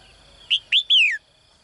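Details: Caged female bird's morning call for a strong male: two short high rising chirps followed by a longer note that descends smoothly, in a quiet setting.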